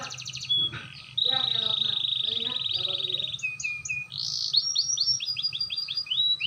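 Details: Canary learning to roll, its voice clear, delivers a long, even buzzing roll followed by quick, sweeping whistled notes, while a man's voice murmurs low underneath at the start.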